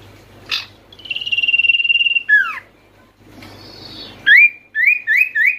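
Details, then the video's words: Lively Oriental white-eye song played to stir quiet, stressed or flock-kept white-eyes into singing: a sharp chip, a long high buzzy trill, a dropping slur, a second trill, then three quick rising chirps. "sirtu malas bunyi pasti langsung nyaut dengar pangilan SIRTU/CIPOH ini"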